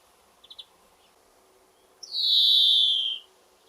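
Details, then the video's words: European greenfinch perched atop a garden rowan tree, singing; a few soft quick clicks, then one long buzzy wheeze lasting over a second, gently descending. "Greenfinch Call - Twittering and Wheezing"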